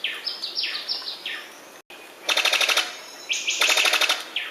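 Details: Sicklebill bird-of-paradise giving a run of short, falling whistled notes, then two harsh, rapid pulsed rattles about half a second each, every rattle led in by a high whistle. Faint steady hiss in the background.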